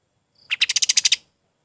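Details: Golden-bellied gerygone song used as a master recording for training other birds: one short, rapid burst of about eight sharp, high-pitched notes lasting under a second, against a quiet background.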